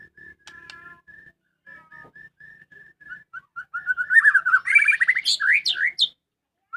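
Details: White-rumped shama kept as a house bird sings a long line of soft, evenly repeated whistles that builds into a loud, varied warble with high sweeping notes and rapid trills.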